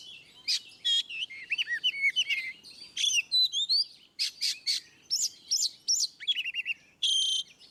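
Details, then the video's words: Oriental magpie-robin singing in the ngeplong manner, meant to make quiet birds respond: dense, varied phrases mixing looping whistles, rapid trills and loud scratchy bursts, nearly continuous throughout. "Kacer ngeplong | Masteran burung"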